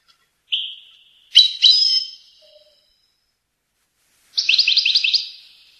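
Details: Tunisian goldfinch performing a faultless Rasta Torka song: a soft whistle, then two buzzy rising phrases, a pause, and a fast trill of repeated upward-sweeping notes. Quiet surroundings.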